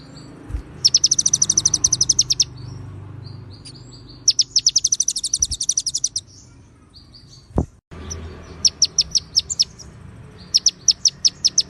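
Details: Clear konin-style singing of a White-rumped shama with cililin and ciblek fills: three long rapid trains of high, ringing chirps separated by pauses, with a soft click between them.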